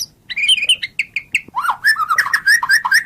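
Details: White-rumped shama song: a rich, varied run of whistled phrases, first rising and falling warbles, then a rapid series of clear repeated whistles, over faint low background noise.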